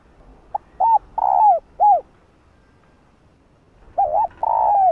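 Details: Spotted dove hen cooing to summon the male, giving soft hooting notes in a stuttering run that ends in a long descending coo, then starting the phrase again after a pause.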